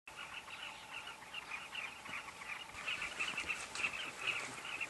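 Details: Carmine bee-eaters calling at a breeding colony at Kavinga Safari Camp: a dense chorus of many overlapping short, rolling chirps mixed together, sounding continuous with no breaks, getting louder in the second half.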